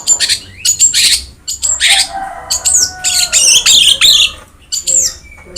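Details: Long-tailed shrike in vigorous song, recorded to stimulate reluctant singers: varied high chirps, buzzy trills and downslurred whistles, with a faint lower whistle partway through.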